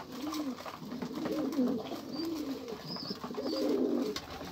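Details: Low, gurgling pigeon coos in long wavering phrases that swell and fade, with a brief high squeaky whistle now and then behind them.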